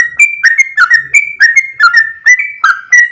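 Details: Sooty-headed bulbul singing steadily in long 'ropel' fashion, a fast string of clear, slightly falling whistled notes, each struck with a crisp click, repeated about three times a second.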